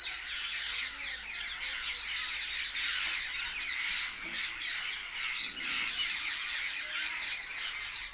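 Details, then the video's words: A treeful of parrots keeps up a steady, noisy chatter of rasping squawks and shrill chirps, many voices at once, with a faint deeper call or two underneath. "A Tree Full Of Parrots| Natural Parrot Sounds| Loud Parrot Chirping"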